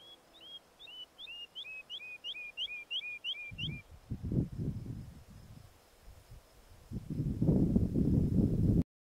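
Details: Woodlark singing a run of about a dozen short, clear, downslurred whistled notes repeated rapidly for nearly four seconds; heavy low rumbling handling or wind noise follows and covers the rest.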